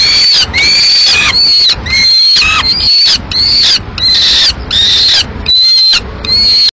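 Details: Young peregrine falcons in Madrid, May 2016, fight over prey delivered by their mother, one chick ending up eating it alone. Shrill, grating screams in bursts of about half a second, repeated steadily with short silent breaks.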